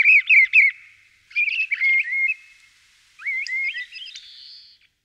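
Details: Common starling (Sturnus vulgaris) giving three short bursts of varied, slurred whistles and warbled notes with buzzy edges, each run of quick notes separated by brief pauses, over an otherwise quiet background.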